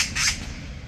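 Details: An Oriental magpie in apartment-complex woodland one morning gives a single harsh, rasping squawk, its alarm at a cat near its chick on the ground as it also pecks at branches to distract it, over a low steady rumble.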